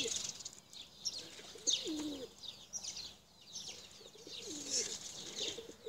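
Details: Tumbler pigeons, blue checkered birds among them, kept for flying: two low, bending coos stand out beneath a steady wash of high, thin chirping from small birds.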